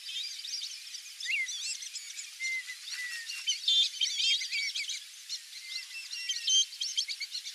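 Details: A flock of wild Brazilian teal gives many overlapping high, thin whistled chirps and short squeaky notes, some rising or bending, in a dense steady chorus with brief louder bursts.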